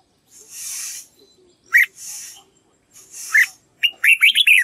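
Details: Red-whiskered bulbul voice-training song for teaching white-cheeked birds: two single sharp whistled notes, then a rapid burst of four or five bouncing whistles, with soft breathy hissing sounds between them.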